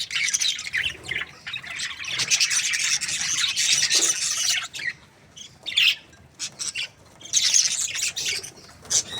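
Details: Budgerigar breeding pair, described as happy, giving rapid high raspy chatter in long bursts, broken by quiet gaps around the middle, then short scattered chirps and a final squawky burst.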